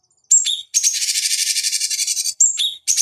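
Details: Song of a cucak cungkok bulbul, a master lure for training fighting birds: a sharp whistle and brief chatter open a sustained fast, harsh trill, followed by another whistled phrase and a fresh trill.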